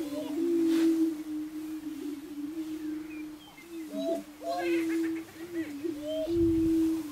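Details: Greater prairie-chickens at a lek on Switzer Ranch, Nebraska, 2011, boom in a low, steady, overlapping hooting drone, broken by higher whooping cackles and squeals from other males.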